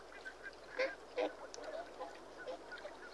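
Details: Whooper swan calling: a few faint, nasal, honking notes spaced irregularly, two slightly louder than the rest, over a quiet background.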